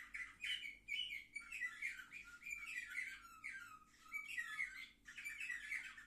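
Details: Canaries aged seven months, filmed on 10 November 2023: rolling warbled phrases with descending slurred notes, delivered in uneven bursts with short pauses and a steady low hum in the background.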